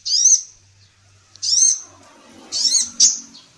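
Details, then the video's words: Female sunbird in active voice, used as tutor audio for songbirds: high, sharp, downslurred chirps in an uneven sequence, the last two close together, with a faint low rumble and soft background murmur between notes. "SUARA BURUNG KOLIBRI NINJA BETINA GACOR"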